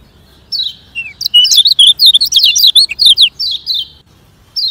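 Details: Fast-paced song of a Lemon-bellied white-eye (kecial kuning, Lombok), meant to train sluggish singers: a dense run of shrill chirps and wavering twitters lasting about three seconds, followed by a lone high downward note.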